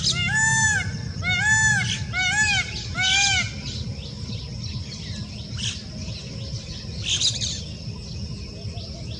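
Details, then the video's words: Indian peafowl gives four loud, nasal, wailing cries in quick succession over about three seconds, then falls quiet, with faint chirps, a steady high insect-like hiss and a low rumble behind. "Peacock Voice"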